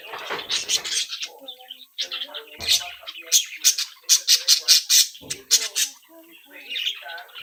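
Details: Young captive budgerigars from a home brood chatter and mimic; harsh squawks and sharp chips come in a quick irregular run in the middle, between softer throaty warbles, indoors.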